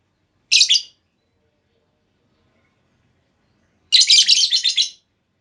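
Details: Female lovebird giving a lure call meant to prompt other lovebirds to answer with long trills: a short harsh, shrill chirp burst, a long pause, then a longer rasping series of rapid, scratchy chirps.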